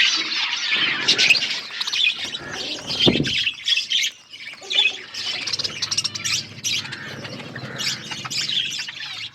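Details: Budgies twittering and warbling in quick, scratchy phrases, with short pauses and a few sharp, louder chirps.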